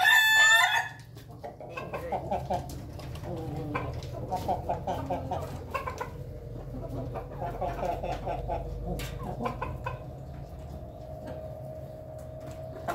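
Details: Ayam Ketawa chickens eating as a flock inside their coop; a short loud crow ends in the first second, followed by a long stretch of quiet, murmuring clucks and a faint held note.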